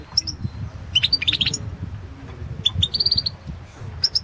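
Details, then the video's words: A European goldfinch sings in a 2016 world championship competition entry: short twittering runs and paired bright chirps, some notes sliding upward, over noticeable low rumbling background noise. "Pesma štiglića 008/ 2016 Aleksandar Denčić World championship in Goldfinch Song 2016"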